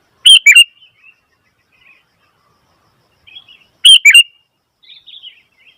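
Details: Sooty-headed bulbul calling noisily: two loud, bubbly three-note phrases about three and a half seconds apart, each followed by soft twittering notes, in an otherwise quiet setting.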